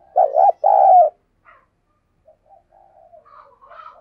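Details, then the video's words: A kept spotted dove used as a lure bird, giving two loud, low hollow coos, the first wavering and the second long and steady, followed by faint quieter sounds. "Tiếng Thúc Chim CU Gáy Sung - Kích Bổi Nhanh Nổi"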